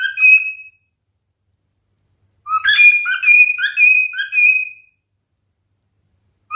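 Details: A singing male cockatiel gives a short whistle, falls silent, then a longer phrase of rising chirps and drawn-out clear whistles.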